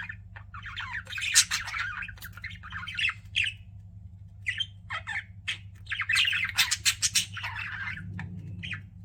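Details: Several pet budgies chirping in bursts of scratchy, squawky warbles and quick tweets, separated by brief pauses, with a constant low electrical hum beneath.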